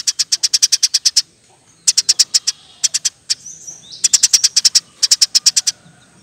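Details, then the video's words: Eurasian tree sparrow singing 'gacor ngeroll' for use in training caged birds: a run of about thirteen sharp chirps, shorter bursts, a faint sliding whistle, then further tight chirp series. "Burung gereja gacor nembak rapet full alasan"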